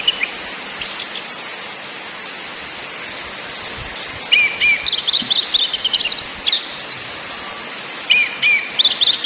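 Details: Orange-headed thrush singing ngakrak, ngeplong and nyiul phrases: high rattling trills, twittering runs with whistled fragments, a falling slur, then a final short burst of high chatter.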